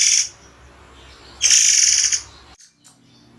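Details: Sharp song bursts of a murai air (white-rumped shama): a brief buzzy blast, a pause, then a louder harsh buzz of about half a second, followed by faint sounds.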